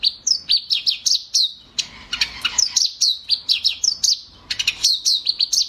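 Eurasian tree sparrows chirping in quick, high-pitched bursts, several birds overlapping into a busy, continuous chatter with only brief pauses.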